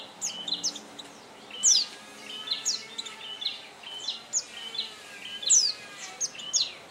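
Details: High, thin twittering of an oriental white-eye: scattered sweet chips and steep descending whistles, a few louder notes standing out, against a steady soft hiss.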